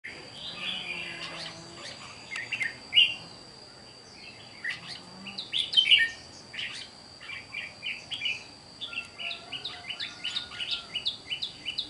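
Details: Caged wild-caught red-whiskered bulbul, recorded 8 June 2023, giving short bright chirpy warbled phrases in bursts, loudest around three and six seconds, then a run of quick repeated notes near the end, over a steady high whine.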